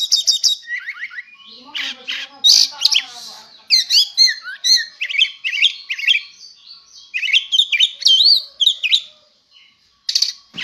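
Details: Oriental magpie-robin, a contest-ready bird, singing loudly. Dense sequence of sharp chirps, rattles and whistled slurs in rapid bursts, with a brief quiet gap near the end.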